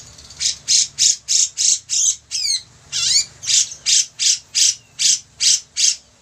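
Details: Bearded bulbul (cucak jenggot) singing: a rapid string of harsh, high-pitched bursts near three per second, broken by several descending slurred whistles before the burst series resumes.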